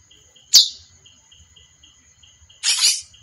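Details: Female chestnut-bellied seed finch uttering a single sharp, high chirp, followed near the end by a longer rough, noisy burst. A thin steady tone and faint pulsed ticking sit in the background.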